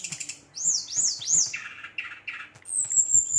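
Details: Agitated brown-chested jungle flycatcher provoking rivals: three arched, upslurred high whistles in quick succession, then lower buzzy notes and a long thin high trill.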